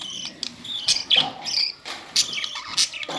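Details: Budgies giving quick high chirps and warbled notes in uneven bursts, some louder sharp peaks spaced under a second apart.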